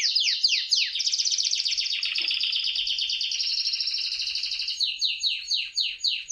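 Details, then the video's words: Canary singing to court a female: rapid downward-slurred notes run into a long dense rolling trill, ending in a series of separate falling whistles. "É assim que o canário canta quando quer galar a fêmea!!!"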